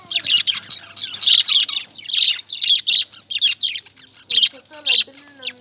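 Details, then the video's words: Lovebirds chirping in a busy stream of short, high, sharp notes clustered in bursts, with faint lower tonal sounds in the background. "Love Birds Chirping"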